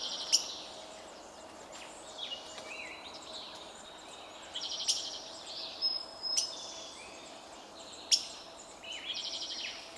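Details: Several birds chirp in a Canadian forest, giving short high buzzy trills and sharp clicking notes in scattered bursts every second or two, set against a constant soft background hiss.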